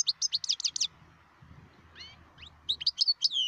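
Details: Wild European goldfinch from Algeria giving fast tinkling twitters, then upward-sweeping notes and scratchy chirps, over a low background rumble.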